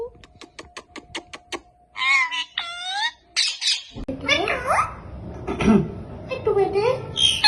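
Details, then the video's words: Talking pet Indian ringneck parakeet, taught "Allah hoo" among many words: a rapid run of clicks, then rising and falling harmonic word-like syllables mixed with harsh squawks, all close indoors. "Talking Parrot Saying Allah Hoo and Many more words"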